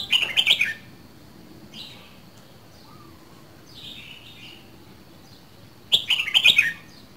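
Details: Captive two-season red-whiskered bulbul from Dak Lak opens and closes with a loud, rapid cluster of bright whistled notes, with soft buzzy chirps and quiet warbles in the gap between the two phrases.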